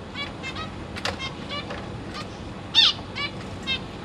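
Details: Zebra finches kept in a cage on 22 August 2023: a pair feeding three juveniles and three new fledglings. Clear, short, nasal stacked calls repeat roughly twice a second, with one louder, sharper call near the end of the first three seconds.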